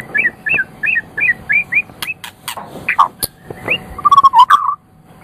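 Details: Champion Medan white-rumped shama song for prompting other birds to sing: evenly spaced looping whistled notes repeated about three per second, sharp clicks, then a fast chattering burst.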